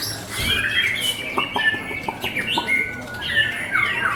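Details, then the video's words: White-rumped shama singing varied whistled phrases: rising and falling clear notes mixed with short buzzy and chattering bits, delivered in quick bursts over a steady background hiss and low hum. "murai batu"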